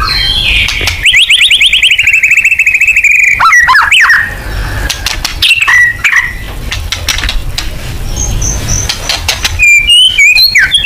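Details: White-rumped shama in a murai batu 'full nembak' lure recording: a long, fast trill of evenly repeated notes for about two seconds, then scattered sharp whistles and a closing burst of varied chattering notes.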